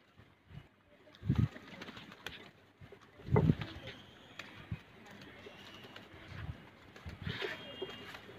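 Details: A hobby flock of pet pigeons of mixed breeds, grown from two pairs to ten pairs in twelve months, gives low, muffled coos in short bursts a few seconds apart, with faint background noise.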